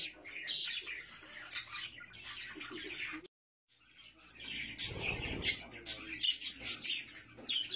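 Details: Budgerigars with their chicks: dense bursts of bright, warbling chirps and twitters, a brief silent gap partway through, then renewed busy chatter with a low buzzy rumble in the middle.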